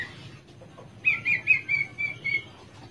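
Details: Caged Javan Horsfield's bush lark gives a run of quick, slurred whistled notes that flatten into a sustained, slightly wavering tone over about one and a half seconds.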